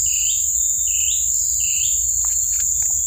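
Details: A lone young Oriental Magpie-Robin chick found in its nest in a swamp, believed male, gives three thin, rising, upslurred squeaky calls about every three-quarters of a second, with a steady high insect drone and soft clicks.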